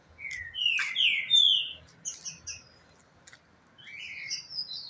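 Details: Green-winged saltators in a singing challenge: a 3.5-year-old bird taken to a rival's home, the two countersinging loud, rich whistled phrases slurred up and down in short bursts with pauses; the second bird answers faintly.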